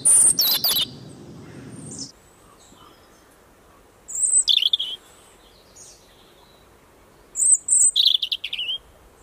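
European Robin singing high, thin, tumbling phrases of twittering notes, each about a second long and several seconds apart, after a brief loud burst at the start.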